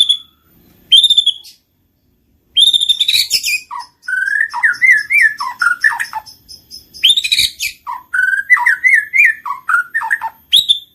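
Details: White-rumped shama (murai batu) lure song, played to trigger a silent bird to sing and to stir it for mating; sharp high notes, then rapid rich warbled whistles rising and falling in varied phrases with brief pauses, clean background.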